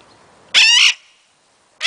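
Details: Pet Illiger's macaw calling wildly: one very loud, harsh, raspy screech lasting about half a second, followed by silence and the start of another screech.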